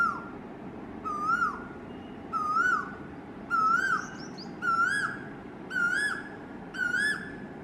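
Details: Asian koel, possibly male, singing: a clear whistled rising 'koo-oo' note repeated about once a second, seven times, over steady low background rumble and a faint high twitter from another bird.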